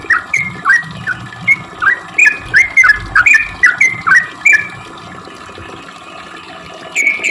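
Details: Sooty-headed bulbul song used as a lure: a quick burst of bubbling, swooping notes for about four seconds, then quiet, and one higher note at the end.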